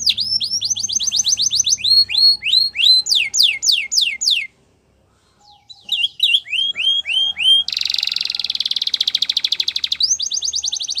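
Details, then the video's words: Training song of a Spanish Timbrado canary: rapid repeated downslurred notes, a brief silent gap, then sweeping whistles and a dense metallic trill before a steady high rattle resumes. "Spanish Timbrado Song For Training"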